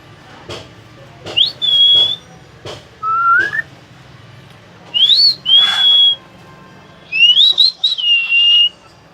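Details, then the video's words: A hill myna that talks mixes clicks and harsh voice-like bursts with a series of clear whistles. They sharply rise then hold level, with a lower upward-sliding note in the middle and a wavering final phrase. "কথা বলা ময়না পাখি"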